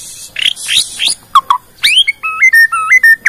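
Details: Bornean white-rumped shama showing off its song repertoire to trigger other shamas. Buzzy rasping phrases give way to clear whistles, then a stepped series of alternating high and low whistled notes.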